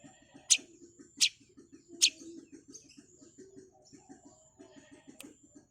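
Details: Long-tailed shrike, or cendet, in fast gacor-style masteran singing: three loud, cracking high chips in quick succession, then faint scattered notes, over a steady high-pitched whine and continuous soft low clicking.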